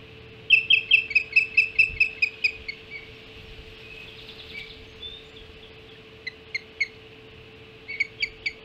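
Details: Ospreys at the Hog Island nest at 5:20 on 7 July 2016, around the first breakfast feeding: a fast run of high, sharp whistled chirps, about a dozen in a row, then a pause and short bursts of two or three chirps, over a steady low hum.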